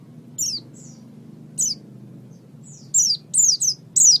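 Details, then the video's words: Oriental white-eye song played as a tutor recording for training songbirds: sparse, very high, thin downslurred chirps, several fast in a row near the end, over a faint low hum. "Ocehan Burung Pleci"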